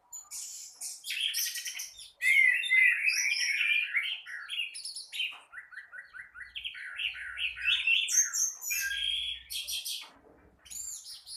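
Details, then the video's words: Energetic morning song from an Orange-headed thrush: loud, varied whistled phrases, then a steady run of repeated short descending chirps, with scratchy high notes breaking in between. "Burung Anis Merah gacor teler dipagi hari"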